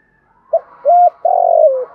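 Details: Spotted dove cooing in the 'thúc gù' manner with a 'thổ' voice, used to stimulate other doves to coo: a short soft note, a steady clear coo, then a long buzzy coo falling at the end.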